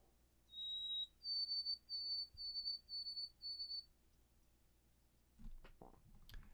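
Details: White-throated sparrow song, 'oh sweet Canada Canada Canada': one steady, pure whistled note, then a slightly higher whistle given five times in even succession. The song fades into quiet, followed by some clicking and handling noises.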